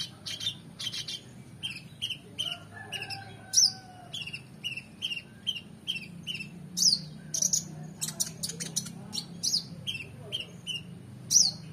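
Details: Oriental magpie-robin in full song with rich fill-ins, for tutoring competition birds: long series of paired two-part notes, a high note then a lower one, repeated steadily with scattered sharp chirps.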